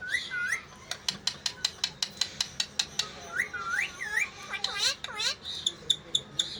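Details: Parrot talking: a quick run of sharp clicks, about two or three a second, broken by looping whistled syllables that rise and fall, with a low room hum underneath.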